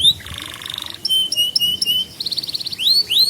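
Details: Canary song used as a master recording for young canaries learning to sing and as a lure for stalled singers: a buzzy trill, then clear whistled notes, a fast rattling trill and rising, swooping whistles.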